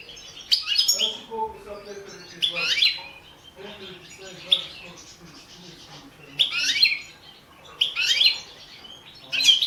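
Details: Balkan goldfinch, Carduelis carduelis balcanica, from a 2017 World Championship in Goldfinch Song competition recording: separate short bursts of high twittering roughly every two seconds, with soft lower warbled notes between them.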